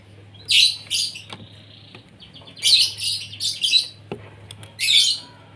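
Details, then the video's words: Asian pied starling fed in the morning to keep it singing vigorously; short bursts of loud raspy, squeaky chatter about every two seconds, with a low steady hum in the background. "SARAPAN PAGI BURUNG JALAK SUREN SUPAYA GACOR"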